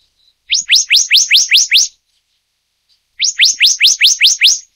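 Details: Hypothymis azurea oberholseri, the Taiwan subspecies of black-naped monarch: a soft short note, then two rapid series of seven strong upslurred whistles, evenly spaced, divided by about a second of quiet.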